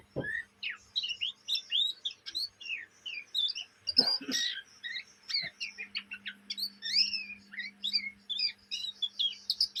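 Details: Young caged Oriental magpie-robin chattering. Rapid varied chips and curling whistles run through, broken by a couple of louder harsh bursts, with a low hum under the song.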